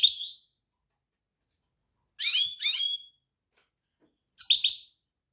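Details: European goldfinch producing a short buzzy note, then a pair of ringing twittered notes and a final trilling burst, with pauses between.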